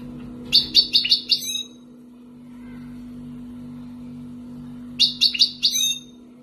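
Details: Wild-origin European goldfinch from Algeria, kept for two years, singing in the tibatbati and sbat sbati styles: two short bursts of four or five rapid, high, buzzy chirps separated by a pause, over a steady low electrical hum.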